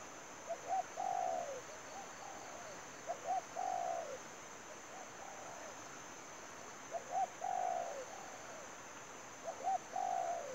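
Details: A spotted dove used to lure others into a trap coos in repeated phrases, each two short notes and a long descending quavering note. Fainter coo phrases alternate with the loud ones, and a steady high whine runs throughout.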